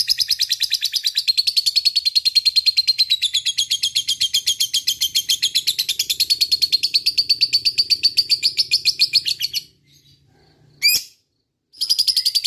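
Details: Lovebird in fighting mood, a single fighter bird, giving a long chattering 'ngekek' song: a fast, even rattle of buzzy notes held for about nine seconds, a short break, then the chatter resumes.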